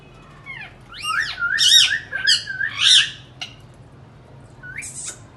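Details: Indian ringneck parakeet indoors, talking and making sounds: a quick cluster of harsh arched squawks and chattering notes over about two seconds, then quiet and one last short screech.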